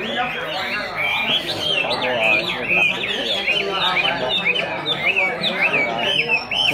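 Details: Chinese hwamei, freshly moulted and singing all day, gives a run of rapid, varied whistled notes, some sliding up and down and quickly repeated, while people chat loudly nearby.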